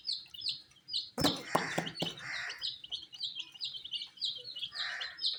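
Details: Coloured baby chicks eating wheat, their high downslurred peeps running throughout, interrupted early by a sharp knock and a cluster of clatters.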